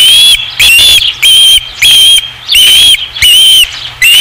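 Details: Insistent series of piercing whistles from an osprey at a ranch nest, 5 August 2016: seven loud, slightly rising notes in about four seconds, evenly spaced with short pauses.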